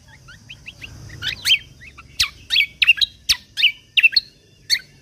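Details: Lesser green leafbird singing full 'tembakan' shots for songbird contest training: soft high twitters at first, then loud sharp downslurred chirps repeated rapidly with short gaps.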